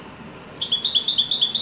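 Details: European goldfinch singing in the widani song style: a bright high twittering phrase that starts after a short pause, with rapid chirping notes alternating between two pitches and a thin whistle above them.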